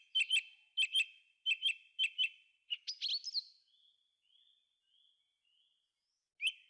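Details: Forest thrush repeats a doubled sharp chirp five times, adds a quick warbled flourish, then faint thin notes, and closes with one more sharp note.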